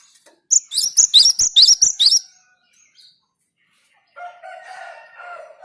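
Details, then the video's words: Java sparrow singing to prompt nearby birds to sing: about ten rapid, high, metallic chirps over under two seconds, followed by a drawn-out lower, rasping call from another bird. "Gelatik gacor perangsang burung lain ikut gacor"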